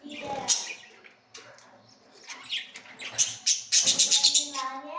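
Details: Lovebirds in the morning give shrill, high chirps, with a fast burst of about eight sharp notes near the end; a person talks briefly over the start.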